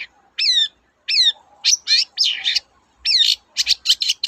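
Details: Long-tailed shrike singing loudly, meant as a lure to prompt reluctant birds to sing: two clear falling whistled notes, followed by harsh buzzy phrases and a fast burst of rattling chirps.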